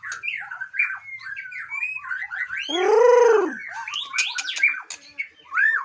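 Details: Aceh white-rumped shama from a breeding farm: melodious varied whistles and chattering notes, interrupted by a loud, lower, drawn-out arching tone mid-phrase.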